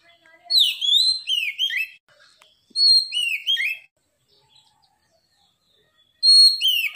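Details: Loud, clear and unceasing song of a white-rumped shama (kacer): three bursts of bright whistles, each starting with a high steady note and falling into slurred, looping phrases topped by quick high ticks, with silent pauses between.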